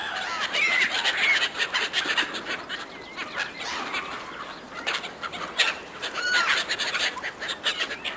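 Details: Seagulls competing fiercely over food thrown to them by a person, giving harsh squealing calls with short rising and falling notes, many birds calling over one another amid a noisy, splashy background.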